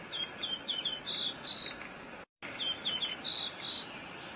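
A Rose Robin gives bright, high chirping notes in quick runs, two bursts separated by a brief pause, over a soft constant hiss.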